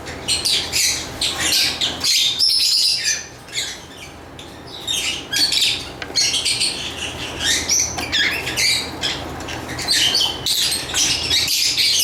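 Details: Lovebird flock sound, steady shrill chattering and buzzy squeaks packed closely together, with a short quieter lull before the chatter resumes.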